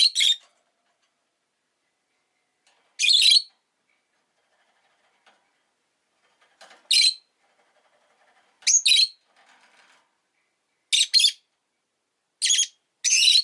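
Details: Rosy-faced lovebird, Agapornis roseicollis, giving irregular bursts of shrill raspy chirps, single and doubled, spaced one to three seconds apart, with faint background noise.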